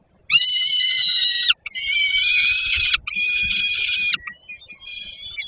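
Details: Hungry young peregrine falcon begging on a landing below the nest at PGNiG Termika Żerań, Poland, 10 August 2022, 17:35, after a parent brought food. It gives long, harsh, wailing screams with a brief squeak between them.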